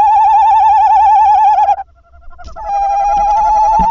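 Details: Tawny owl calling at the nest as the male brings a mouse at 21:50. A loud quavering note, a short pause with a faint lower tone, then another long tremulous note.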